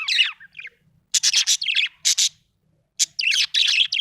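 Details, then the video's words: Happy budgerigar chirping busily, with clusters of harsh, buzzy high notes and scratchy warbles in quick bursts and short pauses between them. "Happy budgie chirping sound"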